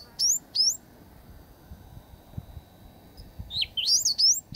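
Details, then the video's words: Endangered Eastern Bristlebird displaying in late August 2017, Booderee National Park, Jervis Bay, near Cape St George ruins: loud, sweet whistled phrases sweeping up and down, two at the start and a longer burst near the end, over a quiet low rumble. "Eastern Bristlebird Display"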